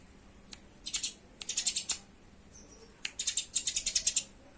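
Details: Eurasian tree sparrows fighting, kept as a tutor recording for pet birds: bursts of sharp, high, dry chirps in fast chattering runs, two main volleys of about a second each with scattered single notes between.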